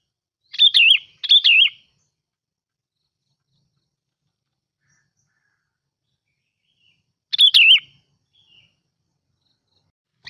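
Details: A sooty-headed bulbul (Pycnonotus aurigaster) lure-bird song: three short, bubbly, up-and-down whistled phrases, two close together, then one more after a six-second pause; otherwise quiet.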